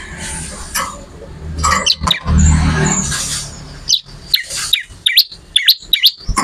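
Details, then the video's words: Lively bar-winged prinia song, rising chirps coming in an uneven series during the second half after a stretch of hissing noise and low rumbling that masks the start. "MASTERAN BURUNG MATERI CIBLEK ORIGINAL GACOR"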